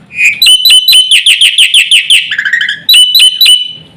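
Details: Black-winged myna in loud, energetic full song meant to provoke other mynas into calling: a rapid series of sharp, clear whistled notes repeated about five per second, then a lower rasping slur and a few more bright whistles.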